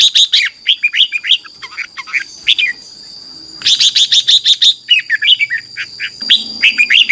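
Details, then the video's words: Red-whiskered bulbul morning song played to train wild-caught birds: almost continuous rapid chirping and warbling notes, briefly pausing midway, then resuming in a dense chattering run, with a steady electronic whine. "Luyện chào mào hót sáng, QUÁ HAY - CHÉ KÍCH BỔI CĂNG ĐÉT, luyện chào mào bổi hót căng lửa"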